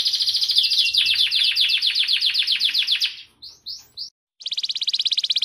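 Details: Canary performing a rolling master song for training other birds: a fast trill slowing into distinct repeated chirps, three brief upward notes, a pause, then a rapid pulsing trill.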